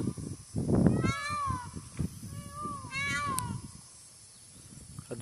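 A peacock gives two drawn-out, nasal, meow-like notes about two seconds apart, each sliding downward, over low rumbling background noise.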